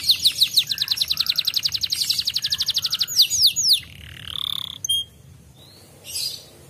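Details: Canary in the griwik singing style, a recording meant to set canaries singing: a long fast series of clipped high notes, a few swooping slurs, then a softer warbling phrase and scattered thin whistles.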